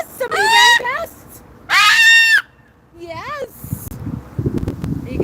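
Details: A male pet Moluccan cockatoo on an outdoor patio in the evening gives two long, piercing, harsh screeches about a second apart, then a shorter wavering squawk, with people talking quietly afterward.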